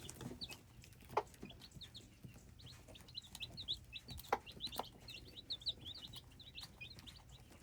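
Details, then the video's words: Dense chorus of hybrid chicks with bright, high peeps, many sliding upward, growing busier toward the end, plus a few clicks and light knocks. "Hybrid chicks - me nyuam qaib dib txuam txoov"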